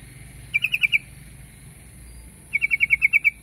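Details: Yellow-vented bulbul uttering a short phrase of four bubbly notes, then after a pause a longer run of about nine liquid notes; steady high hiss in the background.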